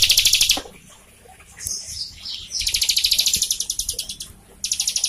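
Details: Prinia song for coaxing a captive bird to sing: rapid high trills repeated in bursts, each a second or two of evenly pulsed notes, with thin squeaky notes in between.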